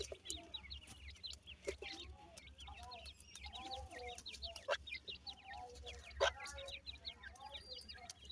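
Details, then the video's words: Little brown, striped pheasant chicks playing and chasing one another; a dense chorus of short, high rising peeps mixed with lower clucking notes and scattered clicks. "pheasant bird funy chicks r playing"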